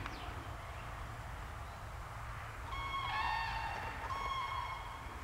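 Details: Common crane calling: after a few seconds of low rumbling background, rich, trumpeting, harmonic-laden notes ring out, one long call followed by a shorter second one, over steady low wind-like noise.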